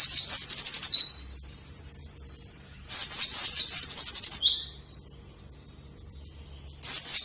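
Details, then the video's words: White-eye song used as a training lure for caged white-eyes that are lazy to sing: loud, high, rapid twittering phrases of sliding notes, each about one and a half seconds long, separated by pauses of about two seconds. "burung pleci gacor!!! efektif untuk pancingan dan masteran pleci yang malas bunyi"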